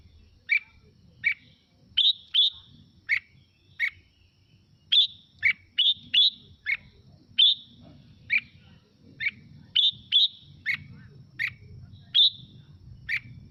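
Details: Red-whiskered bulbul singing steadily for playback to rouse other birds: a long series of crisp short chirps alternating between two pitch levels, roughly one or two every second, some paired, over faint low rumble.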